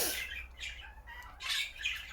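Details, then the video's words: Pet budgerigars chattering in scratchy, high warbling bursts; the owner says chatting this much shows the budgies are happy. "You can tell the budgies are happy in a way by how much they chat."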